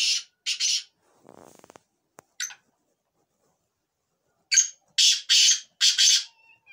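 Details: Kala Teetar, the black francolin, uttering two raspy notes, a faint flutter and a click, one thin note, then a loud phrase of four harsh, grating notes.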